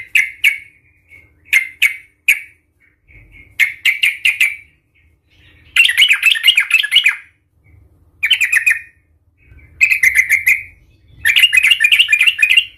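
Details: Agitated yellow-vented bulbul fighting song, the 'Tarung Garuda' style used to provoke rival bulbuls into singing: clipped chirps, then several fast chattering bubbly phrases in bursts with short silent gaps.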